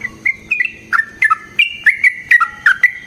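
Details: Yellow-vented bulbul giving a long fighting song meant to provoke silent bulbuls into answering and to train other birds: clear whistled chirps in separated groups, alternating higher and lower notes with short rests between them.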